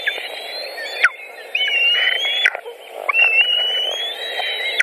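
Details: At a white-tailed eagle nest in Latvia during a pike feeding on a June 2019 afternoon: two long, slowly rising squealing whistles, each over a second long and ending in a steep drop, with fainter thin notes and low background hum.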